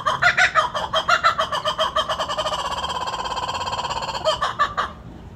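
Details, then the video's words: Laughing kookaburra calling: loud, harsh, rapidly repeated cackling notes running together into a long rolling laugh that speeds up and fades, then a few louder hoots before ending; no other sounds. "Laughing Kookaburra"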